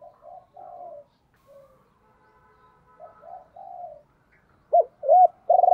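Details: Decoy spotted dove in the 'gáy gọi hai hậu' calling style. Several soft, muffled low coos drift in and out, then loud arched hoots and a strong coo start near the end.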